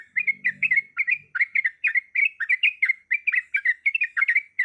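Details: Breeding-condition female yellow-vented bulbul calling a male, a 'ropelan' run of dense, liquid chirps and slurred notes repeated steadily throughout with barely a pause, and a short low hum near the start.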